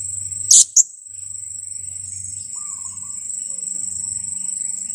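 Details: Two-week-old blue-crowned hanging parrot used as a lure calls twice, shrill and abrupt, the second note shorter. A persistent high insect whine and a faint low hum fill the rest.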